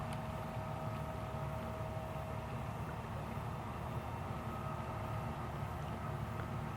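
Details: A steady, low mechanical drone, like a passing vessel or vehicle, with a faint hum. No animal voices stand out.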